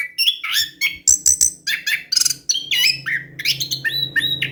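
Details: Orange-headed thrush singing as a lure for reluctant birds: fast varied whistles and high chirps over a steady low hum in the background.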